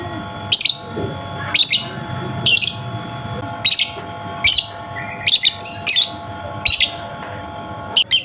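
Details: Lure sound for a lovebird that has stopped singing: a steady string of about ten piercing, high, raspy chirps, each roughly a second apart, with one double chirp near the end and a low hum behind.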